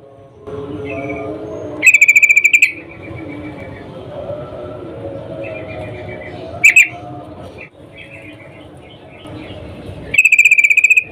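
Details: Female sooty-headed bulbul in breeding condition calling a male, used as a lure to make males sing: three loud, buzzy, rapidly pulsed bursts spaced several seconds apart, softer chirps in between, over a steady low rumble.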